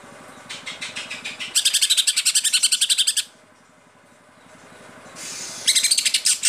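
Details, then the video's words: Caged Cucak ijo (Greater Green Leafbird) singing in full 'tembakan' style, a loud gacor performer: rapid bursts of sharp high chirps repeated about four per second, two fast trills separated by a short pause, low engine-like hum underneath. "Cucak ijo gacor full tembakan"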